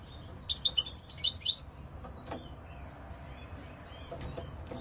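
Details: European goldfinch giving a short burst of bright, tinkling twittered notes lasting about a second, then near silence with faint clicks.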